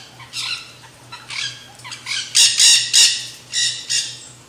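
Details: Several nanday parakeets eating seed mix at a backyard feeder, a feeding frenzy. Rough, raspy squawks start softly, then build into a run of loud, closely spaced screeches. A faint constant hum lies underneath.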